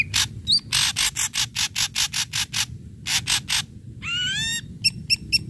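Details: Ashy drongo; song; stimulating other drongos to sing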